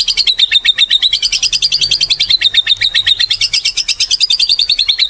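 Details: White-rumped shama, a gacor singer used as a lure to set other birds off: one continuous fast buzzy trill of many rapid strokes held steady throughout, rising slightly in the middle.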